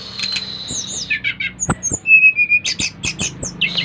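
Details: Lively Bali brown-chested jungle flycatcher singing to set off other flycatchers: a long high whistle, short chattering notes, a level whistled phrase, then rapid clicking bursts over a faint background hum.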